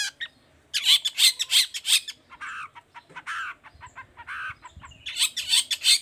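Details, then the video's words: Long-tailed shrike in full song in the toet toet style, used as a lure to get reluctant shrikes singing: bursts of harsh, scratchy, rapid notes in quick runs, a lull of softer chatter, then another loud harsh flurry. "Suara Cendet Gacor Toet toet Efektif Anti Gagal Bikin Cendet Malas pun Langsung Nyaut Bunyi Seketika"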